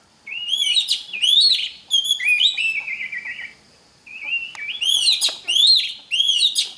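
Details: Oriental magpie-robin song used to teach young magpie-robins: two long passages of sweeping whistles and harsh buzzy notes, one ending in a trilled rattle, separated by a second of quiet.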